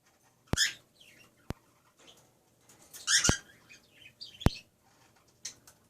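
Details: A cockatiel showing off his wings gives short, harsh, screechy chirps at uneven intervals, with sharp clicks between them.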